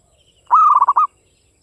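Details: Local Javanese zebra dove with a crisp voice singing a classic Mataram-rhythm phrase: a level coo followed by rapid stuttered beats, about half a second long, loud and clean with nothing else audible.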